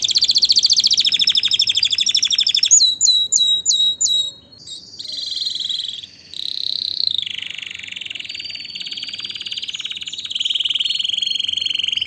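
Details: Canary singing to excite females and males for breeding and to teach young birds: an intense fast high trill, then four separate ringing chirps, followed by softer drawn-out warbling tours that slide lower.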